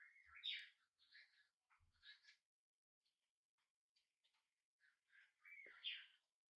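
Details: On its first day at home a hand-raised pet budgie gives raspy warbling calls, loud at the start and end, with faint scratchy notes in between and a small tap.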